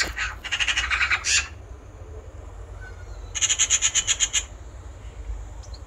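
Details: Eurasian magpie giving two bursts of harsh, rattling chatter, rapid rasping notes run together for about a second each, with a quiet gap between; faint low rumble beneath.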